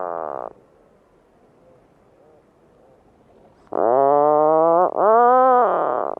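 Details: Puffin gives a brief nasal groan, falls silent for about three seconds, then returns with two loud, sustained buzzing moans, the second rising slightly in pitch.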